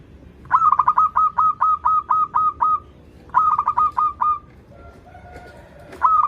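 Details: Zebra dove (local perkutut) singing as a lure for birds learning to sing: fast bursts of pulsed notes near one pitch ending in a held tone, a long run of about nine pulses then a shorter phrase, over low background hum.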